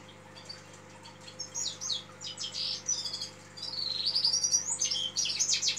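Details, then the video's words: Song of a red-fronted serin. A quiet start of scattered chirps builds into fast, jingling twitters, then ends in a louder run of high, metallic, rising and falling trills. A constant low hum runs throughout. "Пение красношапочного вьюрка"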